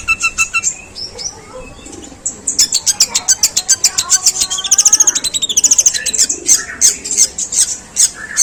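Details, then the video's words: Long-tailed shrike pouring out a long, rough medley imitating sparrow calls: a few clear whistles, then a fast, continuous chatter of high, clipped chirps with some wavering notes. "Suara pentet tembakan gerejaan panjang dan kasar"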